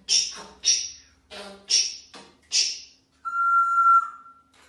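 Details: A talking pet parrot introducing itself: five short, breathy, chattering, speech-like bursts about half a second apart, followed by a steady, clear whistled tone lasting over a second.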